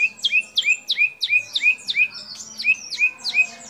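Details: White-rumped shama in full song, its repertoire filled with imitations of kapas tembak, cililin, lovebird and canary calls: a rapid string of sharp, whistled notes sliding down, repeated about three times a second, with faint high overtones and a quiet background.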